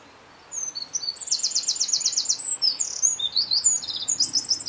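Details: Eurasian wren singing at coordinates N49°52' E18°11': a loud, high, rapid outpouring of sharp notes and fast trills, starting after half a second of quiet and running to the end, over faint low background hum.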